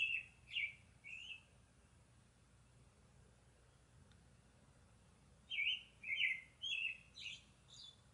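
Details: Northern cardinal song: a short burst of slurred whistled notes, a long pause, then a run of four to five loud downslurred whistles delivered about twice a second, with faint background hiss.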